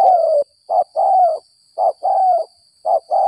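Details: Spotted dove caught after rain, described as 'gagap 6 mata': low cooing delivered as a short note followed by a longer drawn coo, repeated three times with pauses.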